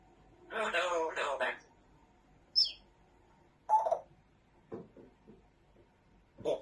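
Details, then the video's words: Indoor African grey parrot swearing: a two-part spoken phrase, then a sharp high whistled chirp and a few short clipped word sounds spaced a second or so apart. "Very naughty African grey parrot, lots of swearing"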